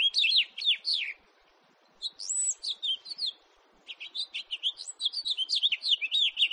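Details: House finch, recorded in 2018: a rapid, high warbling run of twittering, slurred notes and short whistles. The first burst lasts about a second, then there is a pause, a second phrase, another brief gap, and a longer final stretch of quick chirps.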